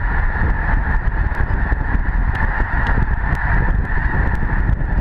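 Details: A huge migrating flock of snow geese at Lake Herman, Madison, South Dakota, honking together in a constant massed clamour, with strong wind rumble underneath.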